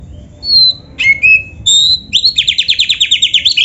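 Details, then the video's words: Oriental magpie-robin (kacer) in full 'gacor' song with canary-phrase fill-ins, a master recording for training: clear high whistled notes, a sliding phrase, then a fast buzzy trill of about a dozen repeated rising notes. "suara Kacer gacor isian komplit | Masteran Kacer ISIAN Burung Kenari"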